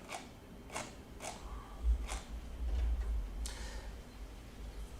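A few sharp, irregular clicks or taps over a low background rumble, with no animal voice.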